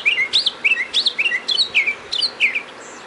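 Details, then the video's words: Mockingbird singing outside a doorway on 31 March 2010, a lively string of varied whistled phrases, rising and falling slurs and bubbling notes delivered rapidly, several per second, with faint background hiss. "Listen To The Mockingbird"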